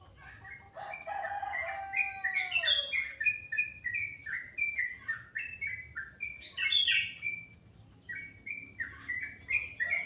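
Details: Melodious morning birdsong opening with long falling whistles, then a rapid, uneven series of chirped notes, around three per second, with occasional louder bright phrases.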